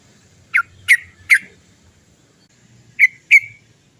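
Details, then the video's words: Trucukan, the yellow-vented bulbul, with its 'cok cok cok' chips used to get other birds singing: three loud, abrupt notes, a pause, then two more, over soft low background rumble. "TRUCUKAN GACOR ... suara cok cok cok ngerol panjang PANCINGAN burung trucukan agar cepat bunyi"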